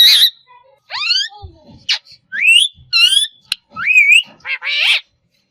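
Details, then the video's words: A talking green parakeet runs through a quick medley of harsh squawks, bright rising whistles and chattering speech-like notes, with brief pauses between phrases. "Talking Green Parrot"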